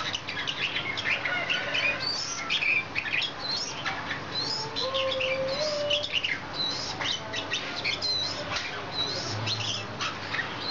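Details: Red-whiskered bulbul in heated display, singing while dancing with its wings: a busy stream of short bright chirps and twittering notes, with a lower slurred whistle midway and a steady low hum underneath.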